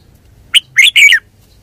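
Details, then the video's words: Red-whiskered bulbul uttering one crisp three-note phrase, a short note followed by two rich, warbling whistles. "นกกรงหัวจุก 424"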